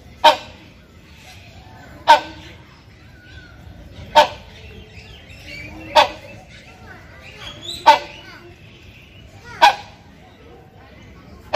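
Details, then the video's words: Hornbill male's loud mating call to a female: six powerful barking honks spaced roughly two seconds apart, steady and booming, with quiet background noise between calls. "SUARA KERAS PANGGILAN BURUNG RANGKONG BIRAHI"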